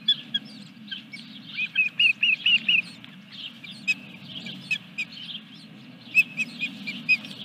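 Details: At the Dunrovin Ranch nest, 14 July 2021, during the third fish delivery, an osprey gives a short cluster of high whistled chirps among scattered faint notes, with a few more chirps near the end. Low hum throughout.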